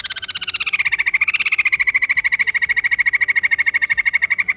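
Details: White-crested laughingthrush giving a loud, fast run of rattling, pulsed notes, starting high and dropping to a steady, buzzy chatter that continues unbroken for over four seconds.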